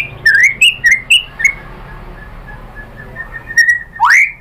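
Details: White-rumped shama song used to provoke other shamas into answering: a few short rising whistled notes near the start, a quiet stretch, then a sharp upward-sweeping whistle at the end.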